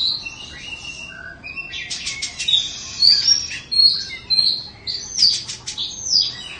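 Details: Caged two-season Oriental magpie-robin of Indonesian stock sings clear whistled notes and rising slurs mixed with harsh rapid buzzy bursts, phrases pulsing roughly twice per second after a quieter start.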